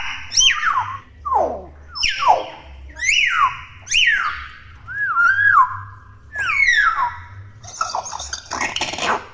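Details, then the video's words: Talkative young common hill myna: repeated loud calls that drop steeply in pitch, one about each second, a wavering held whistle midway, ending in a harsh noisy burst. "BURUNG BEO GACOR! BEO CEREWET"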